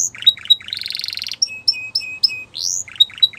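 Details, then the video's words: Canary song played to stimulate canaries to sing: quick varied phrases with short whistled notes, a buzzy rolling trill near the middle, sharp chips, and a rising sweep before more clipped notes. "Does Your Canary Not Sound ? Use This, He Will Sing A Lot"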